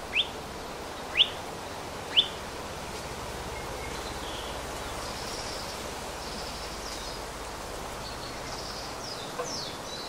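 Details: Hawaii Elepaio, ridgwayi subspecies, in upland rainforest on the Big Island of Hawaii. Three crisp, high chips come one second apart, then faint distant chirps and a low rustling hiss.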